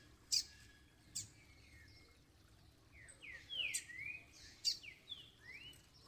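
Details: Double-collared seedeater after moult, calling and singing to stimulate others: isolated sharp clicks, a thin level whistle, then a series of slurred sweeping whistled phrases in the second half.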